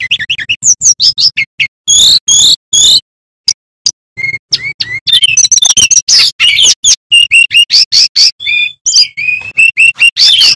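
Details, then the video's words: Energetic song of a male bamboo flycatcher, used to train young magpie robins for song contests: rapid varied whistles, chirps and buzzy rattles, about 150 notes a minute in an irregular stream, with a faint low hum beneath. "Sikatan Bambu Gacor Bongkar Isian"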